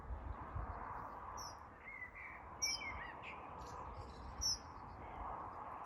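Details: A parent dunnock calls near its freshly fledged young, giving a few thin, very high 'tseep' notes a second or two apart over a steady wash of wind or distant traffic.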